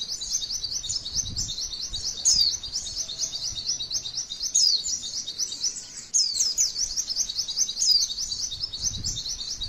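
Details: Female white-eye singing a masteran (training) song, long rolling 'cerrr' trill: rapid, high, buzzy notes repeated without pause, with a few brief gaps and sharper whistled accents every couple of seconds.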